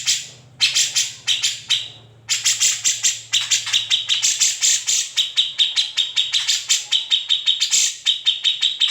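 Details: Grey-cheeked bulbul, unedited, its besetan and ngetril song used to tutor shamas and leafbirds. Brief chip bursts with pauses open the passage, then build into a dense, accelerating rattle of sharp notes.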